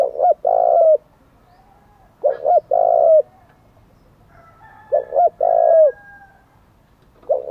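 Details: Spotted dove decoy bird with a 'thổ' voice, cooing hard to draw in wild doves. Low coo phrases of two quick notes and a long drawn note repeat roughly every two and a half seconds. Faint thin whistles sound between phrases.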